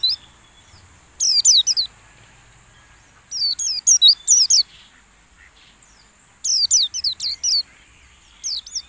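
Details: Lure song of white-eye used while caged birds are aired in the dew, encouraging wild-style singing. Three quick clusters of high, downslurred twittering notes come roughly every two and a half seconds, with a faint steady hiss between them.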